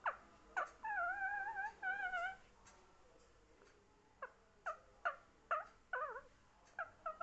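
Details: Talking parrot producing two drawn-out wavering, warbled tones, a quiet gap, then a run of short squawks, some sliding downward.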